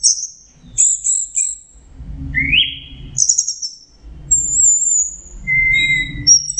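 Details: Orange-headed thrush singing, used to prompt stressed birds that have stopped singing: high thin whistles and a lower rising buzzy phrase, separated by pauses filled with low rumbling background noise.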